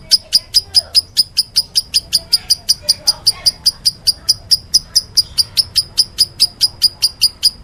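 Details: Meloloh calling from a lovebird: a steady train of sharp, very high clicking chirps, roughly two to three per second, evenly spaced throughout, over a quiet low hum.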